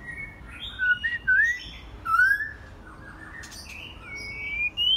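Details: White-rumped shama, a bird in its first molt, singing on a quiet evening: clear whistled slurred phrases, some rising and some falling, spaced through the clip with softer high notes between them.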